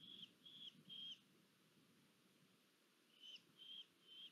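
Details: Female red-footed falcon (Falco vespertinus) at a nest-cam site in Polgár, Hungary, delivering food, 1 August 2022: two bursts of three thin, high, level kew-kew-kew notes separated by a pause, over a low rumble.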